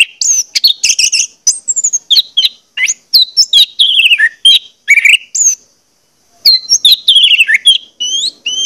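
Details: Orange-headed thrush song used as a lure to get birds singing: rapid bursts of varied whistled and chattering notes, many sliding down from high to mid pitch, with a short pause near the middle.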